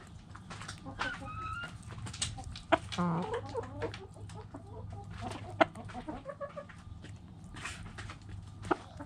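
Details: Backyard chickens, hens and roosters together: a run of short clucks and harmonic squawks packed into the middle seconds, scattered pecking and scratching clicks, and a steady low hum underneath.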